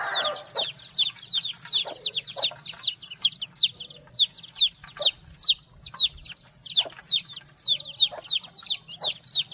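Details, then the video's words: Many young chicks peep at once, a dense chorus of high, bright, downslurred cheeps repeated several times a second, over a faint low hum. "Big sound of Hen kids"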